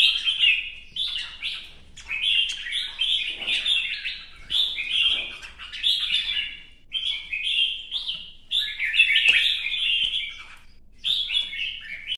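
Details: A red-whiskered bulbul in new plumage delivers a competition song with fanned dancing: steady series of sweet, jumbled whistled phrases, about one per second, with short gaps throughout twelve seconds.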